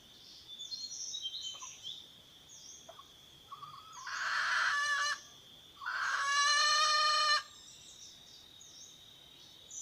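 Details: Red junglefowl hen calling the rooster: two loud, harsh, harmonic-rich calls of about one and a half seconds each, separated by a short pause, over a steady high insect drone and faint chirps.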